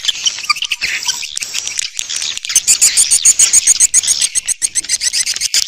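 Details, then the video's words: Swiftlet lure sound: swiftlets chatter in fast, high, dry chirps and buzzy twitters, tumbling over each other several times a second, with no other sounds. "Âm thanh dụ Yến"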